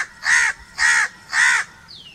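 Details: Three harsh, hoarse crow caws, each about a quarter second long and evenly spaced, loud and close, with a faint descending whistle from another bird at the end.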